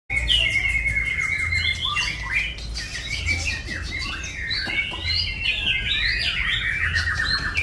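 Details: White-rumped shama in full song, a masteran murai batu full isian recording: loud, rich whistled and warbled phrases, rapidly changing pitch with sliding notes and trills running continuously, over a low steady hum.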